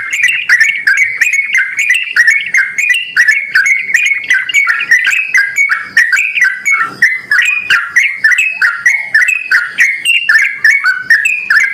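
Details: Long run of yellow-vented bulbul lure calls intended to get other bulbuls to respond: continuous bubbly, slightly harsh whistled chatter, densely overlapping throughout.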